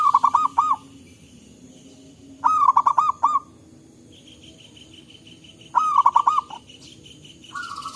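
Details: Local zebra doves answering each other in forest, used as lure sound: three crisp phrases of rapid rolling coos every few seconds, plus a softer, higher steady purr from a second bird.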